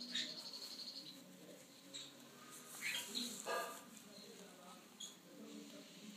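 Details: Two-week-old lutino rosy-faced lovebird chicks (Agapornis roseicollis) being handfed beg with a run of thin, high, rapid squeaks, then scattered sharp chirps, over faint room noise.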